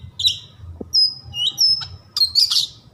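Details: Kept white-rumped shama giving long thin whistled notes followed by harsh buzzy bursts, a single knock early on, over a low background hum.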